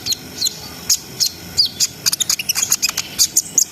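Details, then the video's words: Brown-throated sunbird singing constantly in a rapid, continuous style, meant to raise breeding arousal in untrained birds: scattered high ticks building into a dense run of sharp chirps and short whistles. "SUARA KONIN GACOR NGRIWIK NGEROL SAMBUNG NEMBAK !! COCOK BUAT NAIKNA BIRAHI BAHAN"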